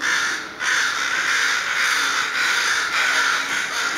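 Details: Crows or ravens calling almost without pause, their rough caws running together into a continuous grating chorus after a brief opening gap.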